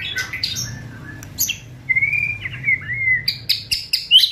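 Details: White-rumped shama singing to provoke other birds and speed up their singing: loud varied phrases of sharp high chips and clicks, a long steady whistle, then rapid repeated chattering notes.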